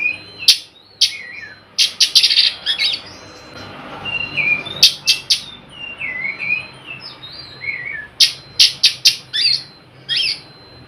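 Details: Oriental magpie-robin lure sound used to make quiet birds start singing; scratchy clicks and short rasping notes alternate with wavering whistled phrases, with a steady low hum underneath.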